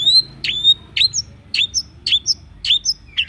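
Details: Long-tailed shrike song used as a lure for birds that have stopped singing: sharp, high notes with brief rising tails, repeated about twice a second with short gaps between them.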